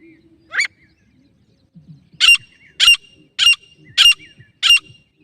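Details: Female grey francolin call from Jharkhand, India, recorded for hunting. A single harsh note is followed by a pause, then five loud, raspy, ringing notes repeated about every half second. Soft low rustles can be heard in the gaps.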